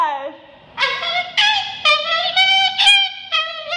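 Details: A pet bird singing and dancing in an office gives bright, nasal, voice-like notes in short bursts about every half second; the owner thinks it says "I love you" at the end.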